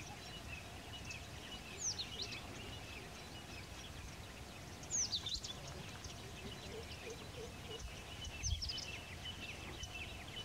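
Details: White-naped tit (Machlolophus nuchalis) feeding on Butea monosperma flowers in India. It calls three sharp, high, downward-sliding notes about three seconds apart, over a busy chorus of other birds and a steady low rumble.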